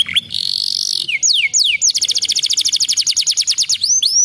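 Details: Canary song played to prompt a canary that has stopped singing: a loud high trill opening, then sweeping descending whistles, followed by a fast rapid series of repeated rising high notes and more swept whistles at the end.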